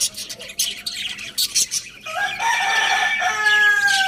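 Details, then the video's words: Lohmann Brown rooster crowing: after two seconds of small-bird chirps comes a sustained, harmonic-rich crow that holds steady, then falls at the end. Chirping continues lightly behind it. "Adorable Rooster Crowing Sound Effect"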